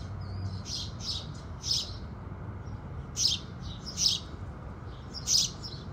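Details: Morning house sparrows: soft chattering notes at first, then four loud, bright chirps spaced roughly a second apart over a low background hum.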